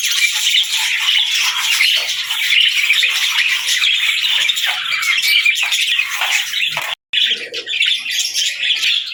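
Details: Many budgerigars singing together, giving continuous loud warbling and squawking chatter, interrupted by a sudden brief silent gap before the chatter resumes.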